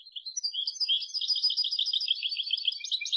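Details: European goldfinch in continuous twittering song, a fast, uneven jumble of high tinkling notes that rise and fall without pause for over three seconds.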